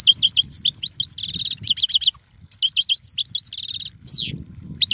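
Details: Lively European goldfinch song: fast tinkling twitters, repeated buzzy rattles and slurred chirps in a dense run, a brief pause, then more twittering and a falling buzzy note.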